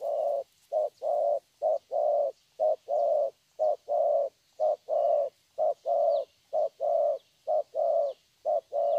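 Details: Young wild-caught spotted dove with a good thổ voice cooing steadily, low short and long hummed notes alternating about once a second throughout, with faint high chirps from other birds behind.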